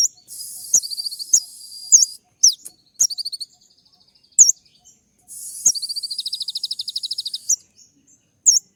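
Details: Kolibri ninja sunbird singing a dense, sharp 'tembakan' song meant to make other birds answer: harsh buzzy rattles alternate with very high chirps and long rapid trills of clipped notes.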